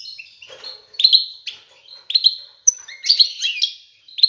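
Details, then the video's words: Male European goldfinch singing to a female, courting her to stimulate mating and nest building; bright twittering phrases of rapid high chirps and trills with short pauses between bursts. "تغريد الحسون على الانثى"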